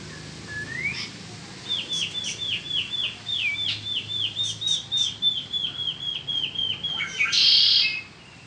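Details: A spring peninsular mockingbird repeats one short, downslurred whistle about four times a second in a long even string after a rising opening note, ending with a harsh buzzy burst.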